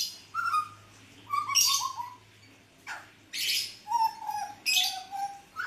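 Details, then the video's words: A hooded butcherbird in full song, used as a lure, gives low, fluty whistled phrases that slur downward, broken by harsh, grating bursts of rasping notes, about six phrases in all. "Kicauan Jagal Papua Gacor"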